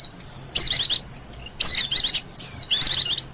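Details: Oriental white-eye lure call for wild birds, three short bursts of quick high warbling trills, each opened by a thin slurred whistle.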